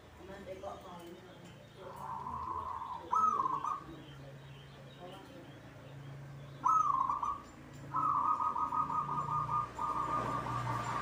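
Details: Caged local zebra dove singing eagerly: short trilled coos give way to longer buzzy rolling phrases near the end, over a steady low hum and faint background noises.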